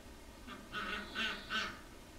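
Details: Runner ducks visiting a garden, giving three soft nasal quacks in quick succession, each a short burst, with a quiet background.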